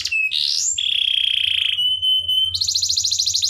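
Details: Canary master song for tutoring young birds to sing persistently: a sliding whistle, then a long pure steady whistled tone held over a second, followed by a rapid high buzzy trill.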